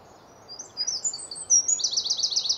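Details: A Eurasian wren singing in a tree early on a spring morning in Hampshire, UK: thin, very high notes that break into a fast, rattling trill of rapidly repeated notes, over a faint low background hum.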